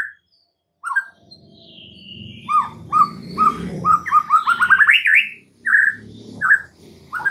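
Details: Energetic white-rumped shama master song for training caged birds: isolated whistles lead into a fast run of repeated rising notes climbing in pitch, then clear fluting notes, over a low rumbling background hum.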